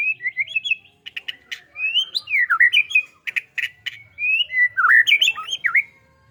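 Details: White-rumped shama in lively song, pouring out varied looping whistles and rising and falling slurs broken by sharp clicks, almost continuous throughout.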